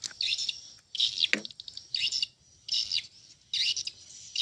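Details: Swiftlet calls arriving as separate clusters of shrill, rasping twitters about once a second, with short pauses of quiet and one lower swooping sound in between.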